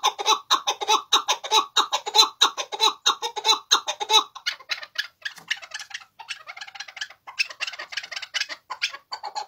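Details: Chukar partridge singing heartily: a rapid, steady run of harsh, throaty clucking notes for about four seconds, then looser, quieter and more scattered chattering notes until the end.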